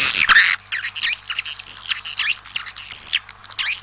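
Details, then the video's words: Swiftlets calling in the open air to summon the flock, giving high squeaky chirps and thin downslurred whistles in quick irregular bursts, with short pauses between phrases over a faint constant hum. "Tiếng chim Yến kêu ngoài trời gọi bầy"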